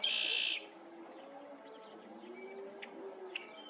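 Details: Red-winged blackbird at Lake Afton, 20 February 2023, opening with a loud, rasping buzzy trill of about half a second, followed by faint distant chirps and soft whistles from other birds over a low rumbling background.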